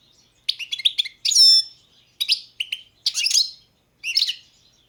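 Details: European goldfinch of the subspecies balcanica singing: bursts of bright, high twittering notes with a clear whistled phrase of stacked overtones, broken by short pauses, about half a second each, with no other sounds.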